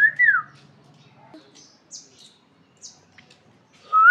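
A parakeet gives a loud falling whistle over a low, buzzy chatter, then brief high chirps, ending with another sharp whistle.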